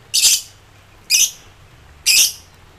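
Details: Worked-up lovebird calling toward rivals, giving three harsh, high squawky bursts about one second apart, with quiet between them.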